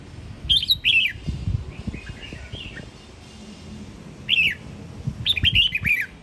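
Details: A red-whiskered bulbul from Sông Kon, Quảng Nam, Vietnam, gives short bursts of bright, liquid whistled phrases, two at the start and more near the end, with a soft warbling run between them.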